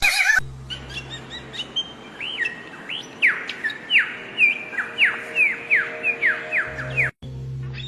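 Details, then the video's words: Wild bird singing outdoors: a series of clear looping whistles, each sweeping up then sharply down, repeated about twice a second, over a low steady hum. "kicau burung di alam liar"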